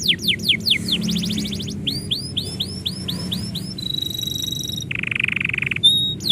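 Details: Canary song heard while its owner gets ready to leave: repeated steep descending whistles, curved upslurred notes, a thin steady high trill, then a low buzzy burr and more whistles.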